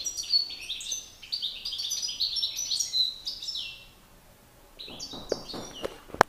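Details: European goldfinch males competing in song, a master bird against an excited one: lively twittering phrases for about four seconds, a brief lull, then more chattering notes mixed with a few sharp clicks near the end.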